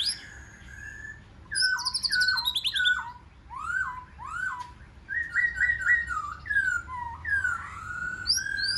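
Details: White-rumped shama giving forest-voice song to spur a wild-caught shama into singing matches. Mellow mid-pitched whistled phrases, dropping slides and a fluttering trill, broken by brief pauses.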